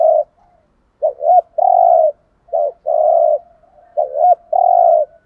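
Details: Spotted dove kept as a decoy, cooing in regular phrases: a quick wavering two-part note then a long flat coo, three phrases in a row with soft faint notes between them.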